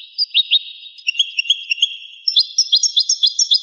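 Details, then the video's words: European goldfinch song from an old 1985 recording: rapid twittering high notes and short trills, delivered in quick bursts with brief gaps, no other sounds. "تغريد طائر الحسون ناذر يعود إلى 1985"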